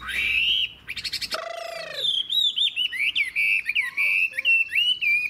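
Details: Chinese hwamei, an old wild-caught caged bird, changing its tune: a whistle, rapid clicks and a brief droning tone, then a lively string of clear, bouncing whistled notes.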